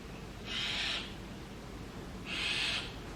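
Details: Brahminy starling nestlings in a nest box, fed insects by their parents, give two harsh, hissing begging bursts, each about half a second long and under two seconds apart, over faint background hum.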